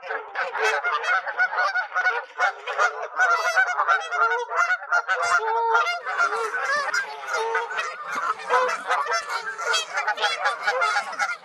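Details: At a beaver pond in late spring, during a goose fight, a crowd of onlooking geese honks nonstop, loud overlapping nasal calls packed densely with no pauses.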